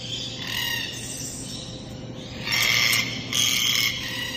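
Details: Harsh grating calls of a red-tailed black cockatoo, a quieter rasp at first, then two loud rolling screeches close together near the end, with a constant low hum behind.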